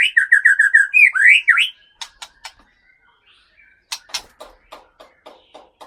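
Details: Caged Aceh white-rumped shama from Sumatra's Leuser region sings a quick series of bright whistled notes ending in upswept slurs, followed by scattered crisp clicks and a few soft, short whistles.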